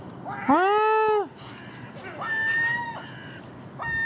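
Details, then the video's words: Common gull at garbage left out overnight beside a house, early morning, among magpies and crows; a loud, rising then level wailing cry, followed by thinner, higher mewing calls and a brief final note. "Common Gull Magpie and Crow making noise at early morning"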